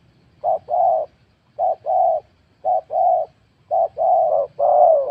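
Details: Spotted dove in a scored cooing contest: four phrases of a quick short coo followed by a longer hollow one, evenly spaced, with the last phrase stretched and run together.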